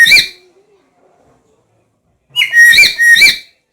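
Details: Black-capped lory making a single harsh whistle, then a pause, then three quick ringing whistled notes with a buzzy edge.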